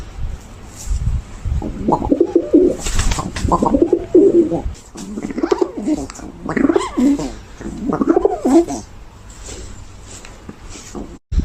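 Pigeon cooing in low, throaty, bubbling phrases that swell and fade, about four coos in quick succession in what sounds like a small room.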